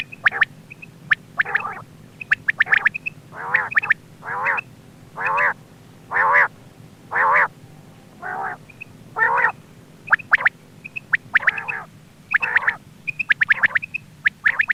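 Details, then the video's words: Quail voice for attracting birds while hunting: a long series of rough, buzzy rasping bursts roughly once a second, interleaved with high short pips and sharp ticks, over a low hum. "Quail bird sound for hunting | Btair voice"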